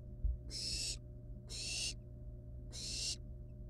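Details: Barn owl nestlings, wild, at the nest handling a live rat before eating it; three drawn-out harsh hisses of about half a second, spaced roughly a second apart, above a constant low electrical hum.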